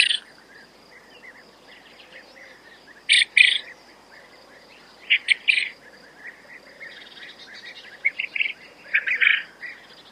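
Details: Quail giving short, bright chirps in clustered bursts, some doubled, spaced every two to three seconds over a faint steady hiss, with softer chirps in between.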